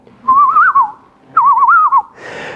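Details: A Common Loon's tremolo, the "laugh" of the loon, given by both males and females and often when the birds seem distressed: two quavering phrases of rapidly wavering mid-pitched notes, each under a second, then brief room noise.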